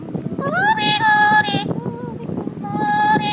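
A lorikeet sings in a voice-like way: a rising glide, then held, clear mid-pitched notes with a brief wavering phrase between them.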